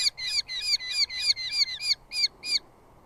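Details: Squabbling over food, two Eurasian hobby chicks call at a southern UK nest where the father brings moths. About nine harsh, nasal notes come quickly, grow sparser, and stop, leaving quiet.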